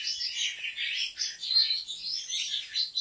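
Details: A Turkish breeder's European goldfinch delivers an unbroken stream of bright, tinkling twitters and short buzzy phrases, rising and falling quickly in pitch, with no other sounds intruding.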